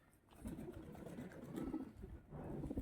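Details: A quiet, steady pigeon coo: a low, burbling murmur that swells and fades across a few seconds over soft background hiss.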